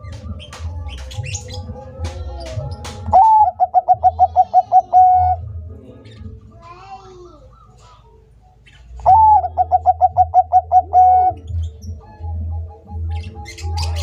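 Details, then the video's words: Two song phrases from a vigorously singing Bangkok-type zebra dove, roughly six seconds apart. Each has a rising lead-in, about nine rapid coo pulses and a held final note, with other birds calling faintly between them. "Perkutut bangkok gacor - masteran burung perkutut agar gacor"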